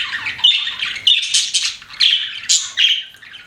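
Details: Pet budgies chirping indoors: bright, buzzy warbled chirps around the upper-middle range, in bursts roughly every half second with short gaps between phrases.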